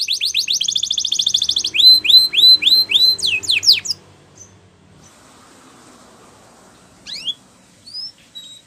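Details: Canary singing a training song: a rapid high rolling trill, then a slower series of loud rising whistled slurs. After about four seconds the singing stops, leaving near-quiet with a few scattered high notes.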